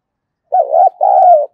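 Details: Decoy spotted dove cooing to attract wild doves: two smooth low coos in quick succession, the first undulating, the second longer and gently falling at its close.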